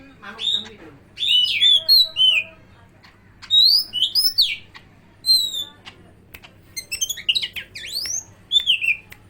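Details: Greater green leafbird from Medan mimicking an oriental magpie-robin, pouring out bright whistled slurs, sharp upward sweeps and rapid twittering runs in near-continuous bursts, interspersed with scratchy chirps, over a soft steady low hum.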